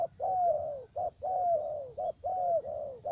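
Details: Loud, close spotted dove decoy used for trapping in U Minh, Cà Mau, Vietnam, repeating long gently falling coos each followed by a short clipped note.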